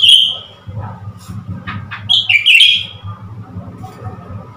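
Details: Newly acquired Blue-winged leafbird goaded by a mirror, 10 February 2021, gives a sharp high whistle, a few thin chips, then a run of warbled, wavering whistles, with a constant low background hum.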